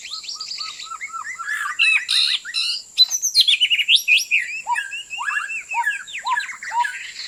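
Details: White-rumped shama lure song for bird trapping, loud and varied: repeated short upward whistles, then a dense run of chattering and fluty notes, with a steady high whine behind.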